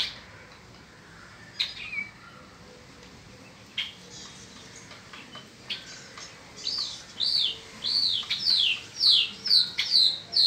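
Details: In spring, a peninsular mockingbird sings from faint, scattered notes into a steady run of arched, rising-falling whistles repeated about twice a second, growing louder toward the end.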